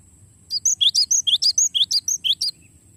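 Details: Cinereous tit delivering an extended rolling song as a tutor recording for songbirds: fast, evenly spaced whistled notes switching between high and lower pitch for two seconds, after a brief quiet start; low hum underneath.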